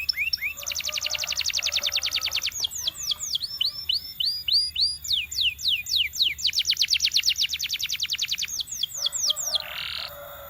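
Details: Trained canary singing a varied song: rolling fast trills of repeated sweeps alternate with slower descending and upswept whistled notes, closing with a short buzzy burst.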